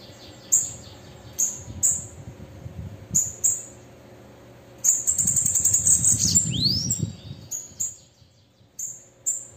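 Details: A female bananaquit gives piercing high tsit notes at irregular intervals, then a rapid buzzing trill followed by a sweeping upward-curving whistle and more spaced high notes over low background rumble.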